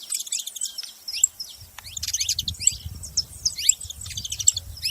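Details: Saffron finch singing, with rapid high chirps and short downslurred notes in dense bursts throughout, over a low rumbling background noise from midway on.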